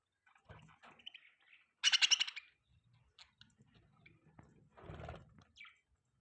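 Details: Budgerigars (Melopsittacus undulatus) chirp in quick, scratchy bursts, with a loud rapid rattle of chatter and a few short high squeaks, in an indoor room.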